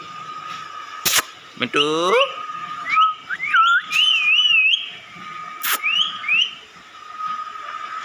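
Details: Parrot calling with a harsh rising harmonic squawk, then wavering, warbled whistles climbing and falling in pitch, and later two short upslurred notes; loud clicks and a steady hum in the background.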